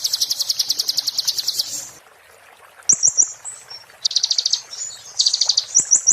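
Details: 'Muntah beling' style song of an Oriental white-eye (konin), meant as tutor material for magpie-robins and shamas: a fast buzzy trill of regular notes, silence, then thin twitters and renewed chattering rattles.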